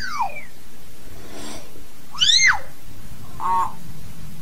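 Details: Hill myna calling the flock: arched, ringing whistles sliding up and down, a breathy noisy burst between them, and a short low nasal note near the end, over a faint steady background hum.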